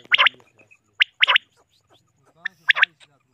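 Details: Three common quail (batair) give sharp, liquid three-note phrases, each about half a second, repeated roughly every second, with a faint voice in the background; finding: common quail.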